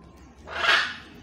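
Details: Wild blue-and-yellow macaws, a family feeding with their baby at breakfast on bananas; a single harsh, grating squawk swelling and fading over half a second against a quiet low hum.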